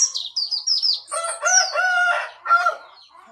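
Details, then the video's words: Pacitan yellow-breasted white-eye giving a rolling wild-style song: high twittering notes sliding down, then a long loud warble with bright steady tones and buzzy layered notes, ending in a shorter similar burst. "Burung Pleci Dada Kuning Pacitan suara ngalas ngerol"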